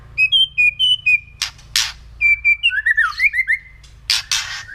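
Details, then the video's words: White-rumped shama, kretekan song used to stir other birds to anger: pure steady whistles repeated in pairs, interrupted by harsh crackles, then a twisting warbled phrase and more rasping bursts. "KRETEKAN MURAI BATU LANGSUNG AUTO EMOSI"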